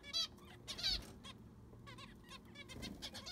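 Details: Several zebra finches in an aviary while it is cleaned and fresh sand added: sharp nasal toots and short stacked beeps, some loud and close, scattered at uneven intervals above a faint hum.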